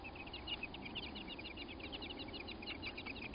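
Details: American robin pair at their nest during a crow's attack: rapid, dense series of short sharp notes, several per second, continuing without pause over a low background hum.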